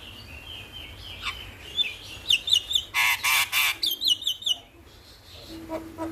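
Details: Starling singing in the morning, meant to coax birds into song: a thin wavering whistle, then a rapid stuttering trill and a loud grating burst, followed by quick twittering notes and a low steady tone at the close.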